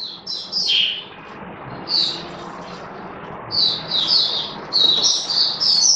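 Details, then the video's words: Caged Oriental white-eye (Mata Puteh) of the Kitaro type, giving its opening song on the seventh day of a booster test: short bursts of high, thin twittering phrases separated by brief pauses, with quiet low room noise beneath. "Mata Puteh Kitaro Buka Sing"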